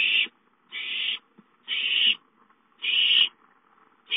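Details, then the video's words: Young owls playing at home, one calling for food on 5-9-13; rasping hissed screeches of about half a second, given about once a second, slightly softer, with faint background rustling. "Chicka calls for food"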